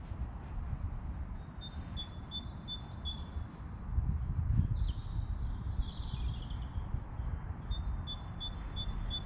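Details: Birds in the English countryside among flowers: two short runs of thin, high chirps repeated in quick succession, one early and one near the end, over a steady low rumble of outdoor noise.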